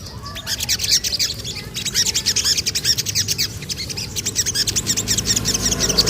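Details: Sogon singing loudly: rapid bursts of high, sharp chirps and twitters in dense runs, pausing briefly near the two-second mark, with a low rural hum beneath.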